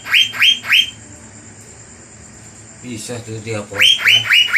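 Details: Blue magpie (cucak biru) song meant to provoke and excite rival birds: bursts of harsh, rising repeated notes, a pause, a noisier broadband passage, then the rising notes return.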